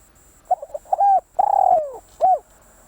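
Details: A single phrase from a spotted dove kept as a decoy: brief stuttered coos leading into a sustained note, then a lengthy descending croo and one short final coo, over a thin high hum.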